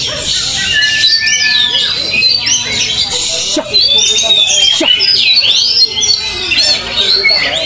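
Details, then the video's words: Oriental magpie-robin (kacer) being trained at a field: bright, varied whistled phrases with quick rising and falling sweeps, repeated in bursts, over a dense background of other birds' overlapping chatter. "serasa melatih mental Kacer di LAPANGAN"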